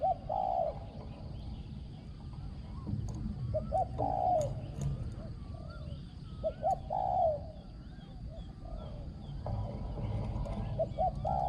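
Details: Spotted dove, said to have a resonant small voice and strong phrasing, gives clusters of short coos followed by a drawn-out note, separated by pauses. Other birds chirp and whistle, and knocks and rustles sound nearby.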